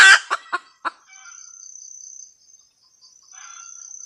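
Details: Red junglefowl hen cackling: four loud harsh clucks in quick succession over the first second, followed by a steady high insect-like buzz and a faint soft call later.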